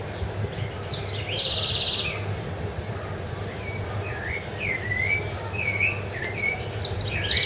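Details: Rufous-bellied thrush, Ilha do Governador, January 2013. A buzzy, drawn-out note from another bird opens the clip, then a run of short, melodious whistled phrases follows over a background hum.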